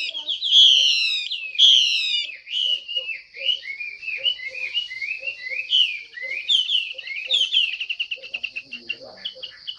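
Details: Female Chinese hwamei calling to set males singing: two loud, sharp descending whistles, then a long busy stream of quick warbled and chattering notes over a steady high tone.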